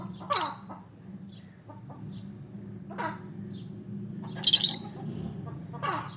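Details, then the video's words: Chirping olive peach-faced lovebird: two piercing, shrill bursts, the second longer and stuttered, with soft lower chirps in between and a steady low hum underneath. "Olive peach faced lovebird chirping sound"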